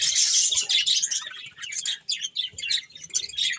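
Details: Budgerigars chirping while eating corn: rapid, scratchy warbled chatter in quick bursts, several short trilled notes repeated nearly three times a second, with light low knocks in the background.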